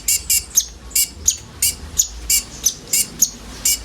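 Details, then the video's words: Common iora song offered as a lure for sunbirds: bright, sharp high notes repeated in a steady series, roughly every third of a second, with a faint low hum underneath. "SUARA BURUNG KONIN BUNYI ISIAN COCOK UNTUK PANCINGAN KOLIBRI NINJA OMBYOKAN"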